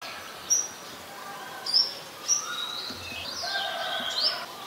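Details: Olive-backed sunbird in mangrove forest, Thailand, giving sharp, thin, high chirps, four notes spaced irregularly over a few seconds, against a busy chorus of other birds.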